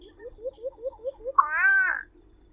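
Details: Solitary cacique: six evenly spaced rising chip notes, roughly one every fifth of a second, followed by a loud nasal, wavering squawk lasting about half a second. Low rumble underneath.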